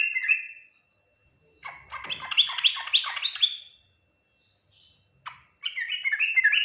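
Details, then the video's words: Yellow-vented bulbul song in the ngriwik, nguplik and tuklik-tuklik styles, said to draw quick replies from other bulbuls: a short warbled phrase, then a long bubbly run of quick liquid notes, a pause, one sharp note and another bubbling burst. "Suara Burung trucukan Full Ngriwik Nguplik Tuklik-Tuklik, paling cepat di respon trucukan lain"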